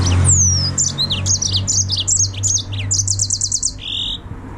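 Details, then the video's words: Serinus mozambicus, the yellow-fronted canary, sings a long falling whistle, then a lively sequence of repeated chirped notes building into a rapid trill, closing on a sustained note; low hum throughout. "Mozambik Kanaryası, The Green Singing Finch( yellow fronted canary), Serinus Mozambicus"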